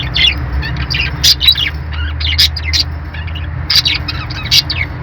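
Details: Budgerigars kept with lovebirds chirp steadily in short, sharp high notes, repeated several times a second with brief gaps, over a low background hum.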